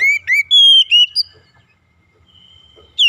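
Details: Oriental magpie-robin (kacer), full-content training song with calling tones: loud clear whistled notes, some rising and some slurred, in short bursts, then a thin sustained high whistle and a quiet pause before another sharp whistle.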